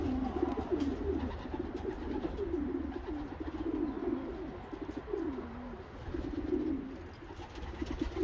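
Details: Racing homer pigeon coos: repeated low, burbling phrases, each rising and falling, coming roughly every second in a steady rhythm over a low droning background.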